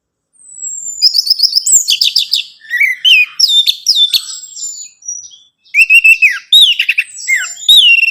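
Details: Orange-headed thrush song played to stimulate a captive bird to sing: loud, rich varied phrases of whistled slurs, rapid trills and mimicked notes, bursts separated by short pauses.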